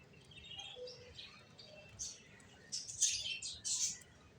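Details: Finches chirping in short high bursts, quiet at first, then louder clustered chirps near the end, with soft background hiss.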